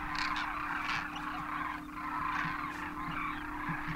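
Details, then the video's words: Large wild flock of Demoiselle Cranes, first-year juveniles with adult parents, wintering at Khichan Village, Rajasthan, north India, after migrating across the Himalaya; dense overlapping rolling, trumpeting calls merge into a continuous chorus, with a steady low hum beneath. "Demoiselle Cranes cross Himalaya to winter in India's better climes"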